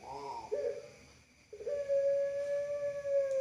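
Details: Barbary dove (puter pelung) of national-champion line with long-voice song: a short rolling coo, then after a brief pause one long, steady, mellow note held about two seconds over faint room hum.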